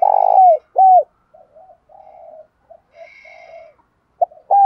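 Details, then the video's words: Spotted dove decoy calling in a native voice with a one-ending coo, used to draw in males: a loud rolled note and an arched coo, quiet low murmurs, then the next phrase begins. "Tiếng cu mồi thúc. gáy gọi kích bổi chuẩn / Cu gáy mồi gáy gọi 1 hậu / Chim cu gáy mồi kích trống"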